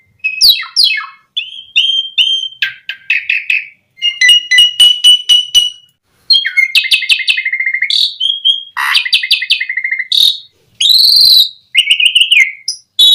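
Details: Asian pied starling (jalak suren) song, played to lure other starlings into singing: a loud, varied run of clear whistles, rapid rattling chatter bursts and harsh buzzy high notes, split by short silences between phrases.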